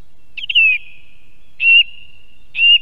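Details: Wild song thrush in Estonia, picked up by an osprey nest cam: three loud, pure whistled notes, each slightly descending and trailing off in a long echo, repeated roughly once a second against near silence.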